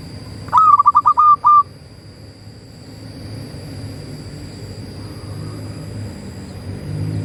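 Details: A local zebra dove (Geopelia striata) gives one clear, ringing cooing phrase of about six quick notes near one pitch, ending in a held coo, then quiet background hum.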